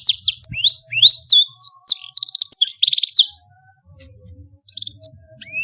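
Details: Canary long master song meant for teaching young birds: quick rising sweeps and buzzy trilled phrases for about three seconds, then only a few scattered high chirps over a faint low hum.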